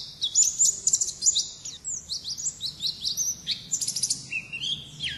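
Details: High, sibilant twittering from an Oriental white-eye in 'ngalas' wild-type style, with quick chirps and thin whistled phrases tumbling one after another over a quiet background.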